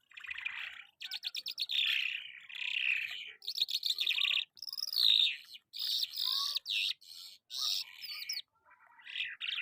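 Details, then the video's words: Lark song from Karachi, the bird known as Jal Afghani: a long varied medley of rattling trills, squeaky whistles and buzzy warbles in quick phrases, each broken by a short pause. "Jal Afghani lark My favorite Bird"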